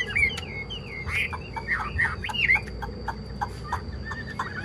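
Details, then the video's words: Chinese hwamei singing loud, sweeping whistled slurs that fade into short, softer repeated chips, with a steady low hum in the background. "Ngũ trường cao cầu chim hót rất tốt, đầu mặt đẹp | Họat Họa Mi"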